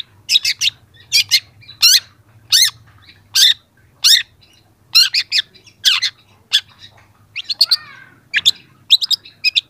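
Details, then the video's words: Young long-tailed shrike singing as a training recording: harsh, downward-sweeping high notes in quick pairs and clusters, then a burst of varied chattering and mimicked phrases near the end. "masteran cendet muda"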